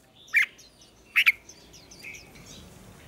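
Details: Red-whiskered bulbul morning fighting song in a singing contest: a few short, sharp whistled bursts spaced apart, with soft twittering between them.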